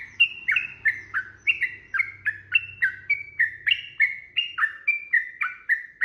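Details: Continuous fighting song of a Sooty-headed bulbul, played to spur other bulbuls into singing back: fast, warbling, downslurred notes in an unbroken stream, with a faint low hum underneath during the first half.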